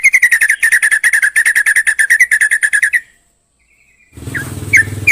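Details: Yellow-vented bulbul delivering a rapid, even run of repeated chirps for three seconds, then silence, followed by a few scattered slurred notes over loud low rumbling background noise.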